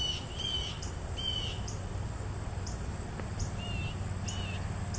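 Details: A juvenile Mississippi kite being fed gives thin, high, slurred whistles, about five in five seconds, over a steady insect drone and low background rumble.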